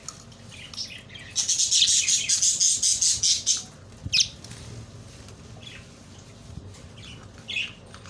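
Budgerigar chatter, a rapid burst of high, scratchy chirps followed by a few scattered squeaks.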